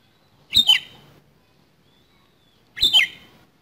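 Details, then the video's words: Oriental magpie-robin in fighting song with a harsh fill: two short, scratchy phrases with a descending whistle, over two seconds apart, with a faint thin tone between them. "KACER TARUNG ISIAN KASAR"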